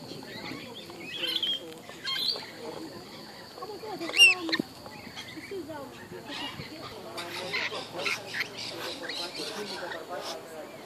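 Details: Lorikeets at Tamborine Mountain, Australia, chatter and screech in a busy flock, with harsh, shrill bursts over a steady babble; a sharp squawk stands out near the middle, and voices may mix in.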